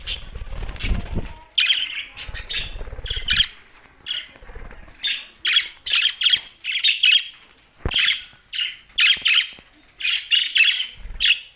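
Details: Budgerigars chirping: a run of short harsh chirps and squawks around the upper-middle register, coming in clustered bursts with brief gaps, mixed with faint fluttering and some low thumps early on.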